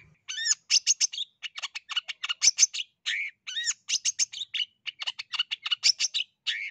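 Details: A Long-tailed Shrike of the East Java (Jatim) type sings a rapid, varied, nearly continuous run of harsh chatters, scratchy notes and short high whistles, used as a lure to make lazy shrikes sing.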